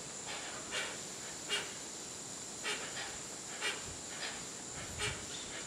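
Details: Hoatzin at Tambopata National Preserve, Peru, 2014: short harsh, breathy bursts repeated roughly every second, over a steady high insect drone.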